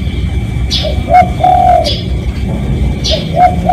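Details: Low hooting coos of a spotted dove, a real recording used as a lure to call in other doves, grouped into short and long notes, while other birds give bright falling chirps in between.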